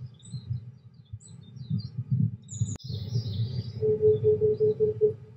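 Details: Cloudy 23°C weather, white admiral butterflies on the wing: a sharp click, then a rapid string of about seven low, hollow cuckoo hoots from an Oriental Cuckoo, with faint high bird chirps and steady low rumble.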